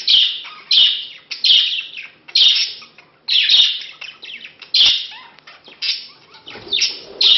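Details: Pair of budgerigars during courtship and mating, the male wooing a hen met two months earlier; loud grating chirps repeated in quick succession, a short pause, then more chirps mixed with softer twittering.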